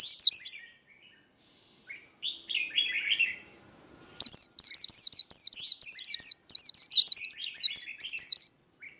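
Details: Japanese white-eye delivering the 'líu đấu' fighting song for training caged birds. Opening high chirps and a lower warbling phrase lead into a long, rapid sequence of shrill, repeated downward-kinked notes.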